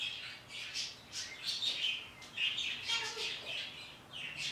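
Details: Pet parrot in the morning, calling to birds outside: a run of harsh, raspy squawks and short chattering bursts, several per second, rising and falling in loudness, with brief bright chirps mixed in.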